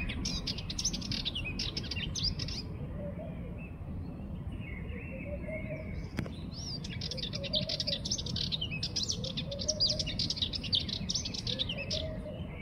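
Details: Sardinian warbler chattering in harsh, rapid scratchy bursts with a quieter gap in between, while soft, low, repeated rounded notes from another bird sound in the background along with steady low noise.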